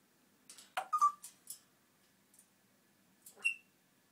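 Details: Pet African grey parrot vocalising indoors: a few clicks and a sharp rising squeak, a short pure whistle, a pause, then a single higher whistled note.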